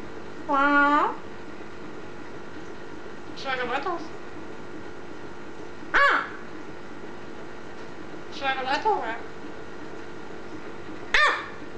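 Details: Pet green eclectus parrot said to be talking, giving five separate harmonic utterances spaced a few seconds apart, some drawn out and bending in pitch, others short and clipped, against a quiet constant room hum.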